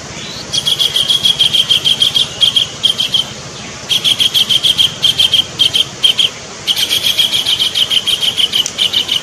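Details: A kingfisher (tengkek), perched far off at the tip of a branch, gives fast, harsh, high-pitched chattering notes in bursts of two to three seconds with short pauses, over a faint low hum.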